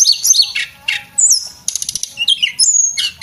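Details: Short burst from a male Javan whistling thrush, a training bird for cage birds: harsh high chirps and a fast rattling trill, then a long descending whistle, with brief gaps between phrases.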